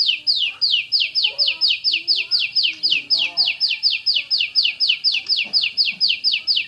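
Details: Champion Oriental magpie-robin firing a fast, close 'tembakan' volley: a steady stream of sharp, high descending notes repeated several times per second, even in pitch, with quiet lower twittering underneath.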